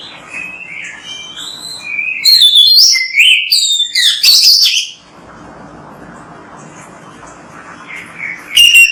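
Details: Oriental magpie-robin (kacer) singing softer whistles, then a loud burst of varied high chirps and whistled phrases, a quiet pause with background hiss, and a final loud whistle at the end.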